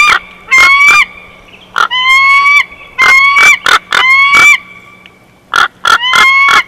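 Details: Bald eagle at its Big Bear nest, recorded by nest camera on 12 June 2021, chortling. Bursts of strident, rising whistles rich in overtones are interleaved with abrupt squeaks, with a brief quiet gap near the end.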